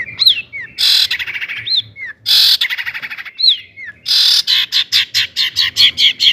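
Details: Long-tailed shrike in energetic 'gacor toet toet' song, used as a lure to provoke other shrikes into singing; high whistled notes with sliding downward strokes alternate with bursts of harsh buzzy noise and a fast run of rhythmic chattering notes.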